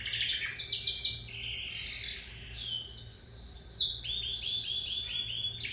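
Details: Song of a lizard canary, mixing quick buzzy trills and chirps with a long, loud, sustained whistled tone midway, followed by rolling repeated high notes over a faint steady hum.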